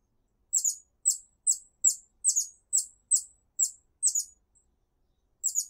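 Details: A hummingbird sings in a garden, calling others of its kind to join it. Thin, very high squeaky chips repeat about every half second, some doubled, then pause before one last double note.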